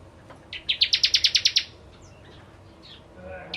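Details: Bar-winged prinia used as a lure, giving a brief fast trill of around nine buzzy high notes, then quieter scattered chirps in the background.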